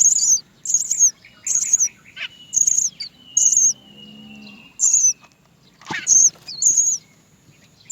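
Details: A Great myna chick in the nest cries for its mother to feed it, giving short, harsh, high-pitched begging calls about once a second, with a faint low hum between them.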